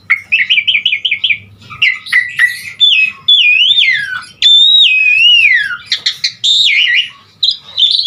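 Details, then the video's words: Asian pied starling in lively gacor full isian song used to get starlings singing: a quick warbling trill, then long wavering whistles that swoop up and down, and scattered sharp chips. "Suara Jalak Suren GACOR Full Isian"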